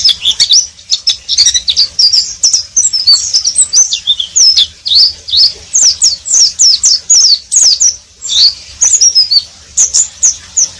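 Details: Oriental white-eye, said to be twittering nonstop in the ngeriwik style: a fast, unbroken stream of thin, high, sliding chirps and squeaky notes, bursts packed closely for eleven seconds, faint low hum beneath.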